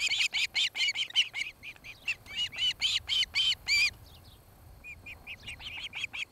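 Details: Osprey at a nest near Charlo, Montana, one of a pair building a new nest during the breeding season; loud series of shrill, whistled chirps repeated rapidly, then a pause and softer chirps resuming.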